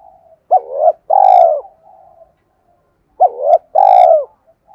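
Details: Two 'thúc' coo phrases from a spotted dove, used to stir up wild doves, about three seconds apart. Each is a quick hooked note followed by a long, full, even coo, with soft murmurs between.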